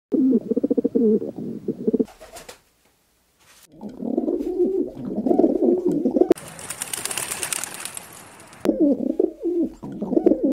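A rock dove gives low, throaty, rolling coos in three runs, broken by a short pause and a loud burst of rushing noise.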